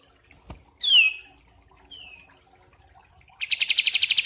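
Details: White-eye singing in a mastering recording combined with a kapas tembak: a tap, a loud sharp downslurred whistle, a softer descending whistle, then a rapid pulsing chatter at the end.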